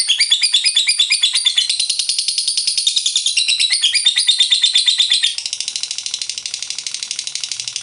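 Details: A lovebird delivering a long ngekek, the drawn-out chattering trill meant to set rival lovebirds singing; dense, rapid high pulses that drop noticeably in loudness near the end yet keep going.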